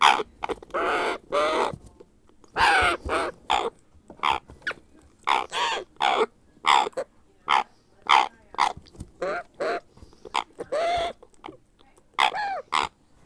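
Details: Baby grey parrot being hand-fed, begging with a long run of short, raspy, bobbing squawks repeated roughly every half second, steady and insistent throughout.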